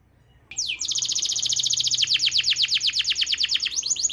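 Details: Canary lure song meant to set silent canaries singing: a sliding whistle opens into a long, fast, ringing trill of high notes that becomes choppier and more strongly pulsed toward the end.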